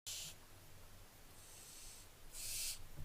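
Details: Barn owlets recorded on 15 July 2024: two loud breathy hissing bursts, each about a quarter second long, at the start and near the end, with a fainter hiss between them over a low background rumble.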